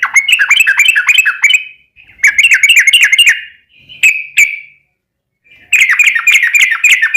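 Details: Yellow-vented bulbul in long ropel song, played to provoke other bulbuls into answering: three fluid bursts of rapid, gurgling whistled notes with brief silent gaps and two lone sharp chirps between them.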